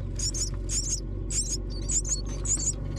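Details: Baby mynas calling while a parent comes to feed them: shrill, scratchy double notes at a high pitch, delivered in uneven bursts roughly twice a second, with a constant low rumble underneath.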